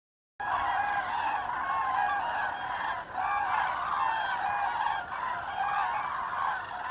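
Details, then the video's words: Autumn migration of common cranes, 25 October 2021, Hesse, Germany; after a brief silence, a loud flock chorus of rolling, bugling calls starts abruptly and continues, with a short dip near the middle. "Herbstzug der Kraniche/ Autumn migration of Cranes"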